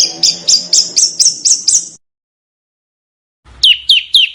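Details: Small bird master song for teaching contest birds: a steady run of high, rising chips about four per second, a pause, then three strong downslurred whistles.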